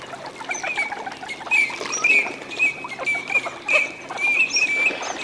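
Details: Several Eurasian teal drakes displaying in a winter wetland at Aiguamolls de l'Empordà, Spain, on 25 December, give short, clear, high whistled 'krick' notes, overlapping in quick succession, over soft background wetland chatter.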